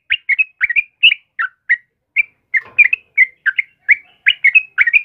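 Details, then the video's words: Vigorous morning singing of a trucukan kebo, a yellow-vented bulbul: brisk series of chirpy bubbling notes, often in pairs, with a short gap midway and a rustle, otherwise clean. "suara burung trucukan GACOR PAGI HARI"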